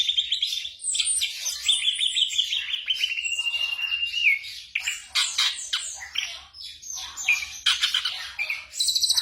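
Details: Black drongo in a night-time training recording for caged birds, giving a long, level whistled trill that dips at its end, then a varied jumble of harsh chatter, chirps and short rising whistles.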